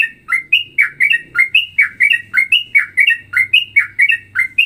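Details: A straw-headed bulbul gives a ropelan song variation blending straw-headed bulbul and trucukan styles: loud, liquid warbled notes, each a quick dip and rise, about three a second in a rolling stream over a faint low hum.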